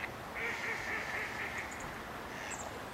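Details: Canvasback at Sechelt Marsh in Sechelt, BC, March 2011, giving a drawn-out, harsh, nasal call lasting over a second, followed by a brief softer note, against steady background hiss.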